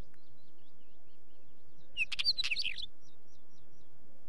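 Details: Wheatear song: a quick, jumbled phrase of crackling and warbled notes lasting under a second, with a steady series of faint high chirps from another bird before and after.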